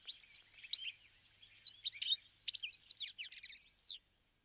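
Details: Flock of wintering Bramblings eating sunflower seeds at a feeder, heard as scattered high chips, then a quicker burst of twittering notes in the second half, fading to quiet at the end.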